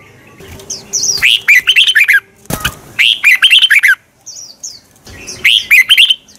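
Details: Red-whiskered bulbul morning song in the twisted 'giọng xoắn' competition style, used to provoke other bulbuls into singing: three bursts of rapid, loud, bubbling warbled phrases, each about a second long, with thin high notes between and one sharp click.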